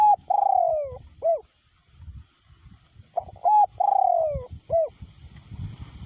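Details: Spotted dove decoy bird keeps cooing in strong wind, voice style small to middle; two phrases of clipped introductory coos, a long falling coo and a short final note, with low rumble and faint hiss between.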